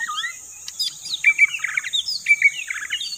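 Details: White-rumped shama singing as a bird-catching lure. Clear whistles are followed by quick chattering trills, repeated in two phrases, over a constant high-pitched hiss.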